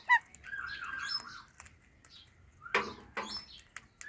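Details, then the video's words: Pet rose-ringed parakeet, a talking ringneck, eating guava indoors while making cute sounds: a sharp high squeak, then warbling chattery notes and harsher squawky bursts near the end. "Talking Ringneck Parrot Making Cute Sounds"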